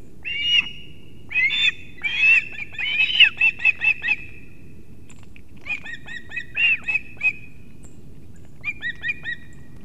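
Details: Osprey family at a nest in Kurzeme, Latvia, 6:40 am, 3 September 2024, while the father brings two fish for the chicks; shrill clipped whistles, some drawn out, others short and stacked in quick uneven runs.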